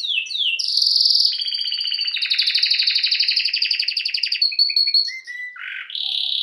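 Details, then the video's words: Canary song for training birds: a rising flourish, long dense rolling trills, then stepped short notes falling to a low buzzy note and a final high trill. "Bird song | Canary singing| training bird | best canary | Serinus canaria"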